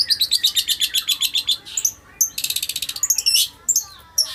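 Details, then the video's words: Long-tailed shrike in captivity, singing after a morning bath until dry: a run of about ten evenly spaced high notes, then a dense buzzy trill and a few scattered sharp chirps. "cendet mandi pagi sampai kering tetep gacor"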